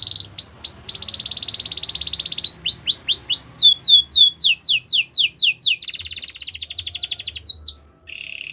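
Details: Belgian canary singing to train young canaries: swooping whistles, a long high trill, then a series of loud descending sweeps repeated at an even pace before a rapid pulsed roll and a low closing note.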